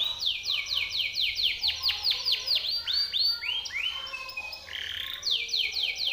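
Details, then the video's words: Timbrado canary song recorded for training canaries: rapid series of loud downward-sweeping whistled notes, about three per second, then a short buzzy tone and more falling sweeps. "TIMBRADO canary singing - Timbrado canary's most powerful song for training / canary training song"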